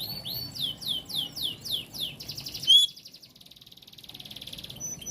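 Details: Oriental magpie-robin song intended to make others respond: a string of about seven slurred whistles, each sweeping downward, a loud pure whistle, then a soft rapid buzzy trill.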